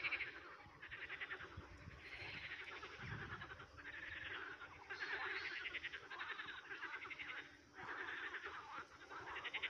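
Eurasian coots keep up a dense, chattering chorus of rapid, rattling mid-pitched notes in bursts of one to two seconds, with a brief low rumble partway through.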